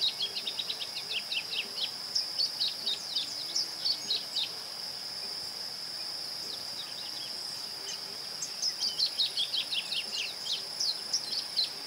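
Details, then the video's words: Masked yellowthroat in Ouro Preto, Minas Gerais, Brazil, giving two quick bursts of high, sharp down-slurred chirps, each phrase about two seconds, separated by a pause, with a constant high-pitched insect drone throughout. "Piá Cobra (Geothlypis aequinoctialis)"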